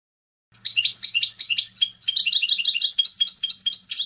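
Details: A European goldfinch's lively song, with rhythmic bursts of high chirping and twittering notes repeated several times a second. A faint low hum is heard in the background.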